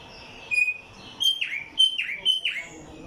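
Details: A tumba yegua singing in Barranquilla, Atlántico, Colombia, gives high, clear whistles followed by quick, downward-sweeping buzzy notes.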